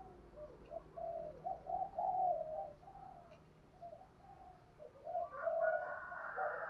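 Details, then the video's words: Spotted dove from Dong Nai calling in the morning, a soft, low series of hollow coos in rhythmic phrases, fairly distant, with a brighter, higher sound joining near the end. "Tiếng chim Cu Gáy Đồng Nai gáy gọi buổi sáng"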